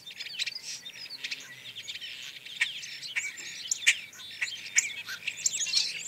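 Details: European starlings on a very overcast grey day, filmed from about 26 feet, chatter busily: a dense jumble of high whistles, squeaky chirps and sharp clicks, several birds overlapping; Common starling.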